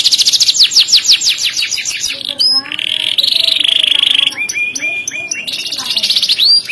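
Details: Kenari with long, loud, sharp song and luxurious phrasing: rapid descending trill, a flat buzzy hold, then chopped whistled notes and a renewed fast high trill.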